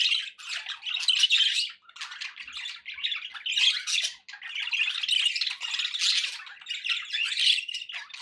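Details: Busy budgie chatter from several pet birds: rapid, grating warbles and high chirps, with two brief dips in loudness before the stream resumes.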